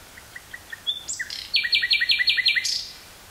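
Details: Nightingale singing in woodland near Burgh-Haamstede, Netherlands, on 18 May 1983, portable cassette recording: soft evenly spaced introductory notes, then a loud slurred note and a rapid run of about ten sharp repeated notes.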